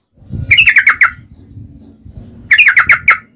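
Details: Yellow-vented bulbul in rapid, fighting-style ropel song meant to lure others to sing. Two bursts of about five fast, chattering whistled notes, separated by a pause, over a steady low rumble.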